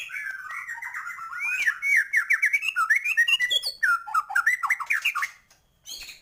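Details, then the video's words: White-rumped shama singing in full form, a rich song for raising other birds' excitement: continuous rapid whistled phrases sweeping up and down, dense warbling notes and trills, ending in a brief pause and a final high note. "Murai batu gacor,, full isian cepet naikan emosi burung"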